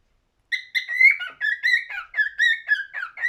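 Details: Singing cockatiel giving a clear whistled melody of repeated wavering notes, about three per second, with bright overtones, steady and uninterrupted after a brief silence.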